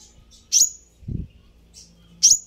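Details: Sunbird call used to draw an angry reply: a loud sharp high chirp with a trailing whistle, a dull low thump, a soft thin note, then two more piercing chirps.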